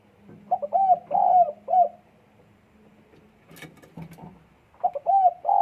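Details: Spotted dove in breeding condition, recorded 12 December 2022, cooing in a short-long-short pattern of mellow notes. A steady low hum and a sharp knock fill the pause before the next phrase begins.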